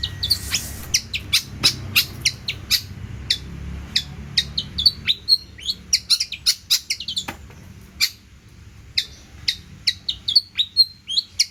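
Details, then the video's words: Actively singing long-tailed shrike with plentiful fills, a long stream of sharp ticking chirps, scratchy bursts and brief whistles at a rapid, uneven tempo, with light low-pitched background noise. "CENDET GACOR ISIAN MELIMPAH!!"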